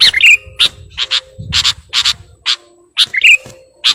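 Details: Sooty-headed bulbul singing energetically to call a rival: short harsh broadband bursts repeated about twice a second, with brief bubbly warbled notes near the start and middle; low rumbling noise underneath.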